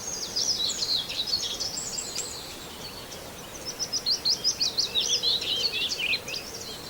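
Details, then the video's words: Common whitethroat singing near Wells-next-the-Sea: bursts of fast, scratchy, chattering high warbling notes, the second phrase louder and more rapid, with a steady low hum underneath. "just a minute of birdsong: Whitethroat"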